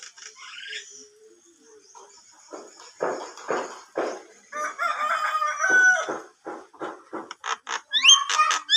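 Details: Javan myna singing actively: a varied, chattering run of harsh rasping notes, clicks and short whistles. It builds from soft opening sounds to loud, rapid bursts near the end.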